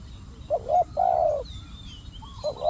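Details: Brief spotted dove coo from a decoy-trapping outing: a quick double note and a long mellow tone, then another phrase begins, with a high thin whistle from another bird.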